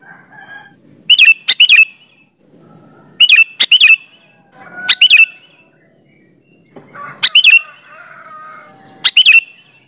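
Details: Lure song of a sooty-headed bulbul, meant to draw replies from other bulbuls; paired bubbly, chattering phrases with a ringing warbled tail come about every two seconds over a soft background.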